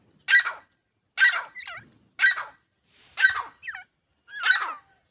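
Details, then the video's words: Grey francolin chicks: rough, scratchy calls repeated roughly every second, each followed by a short, wavering whistled squeak, with faint background shuffling. "Dakhani teeter ke awaz teeter ke voice irani teetar ke Chicks"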